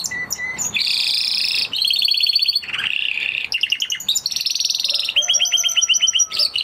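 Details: Spanish Timbrado canary song, a continuous run of rapid metallic trills and rolling pulsed phrases shifting in pitch, with a few lower whistled notes near the end.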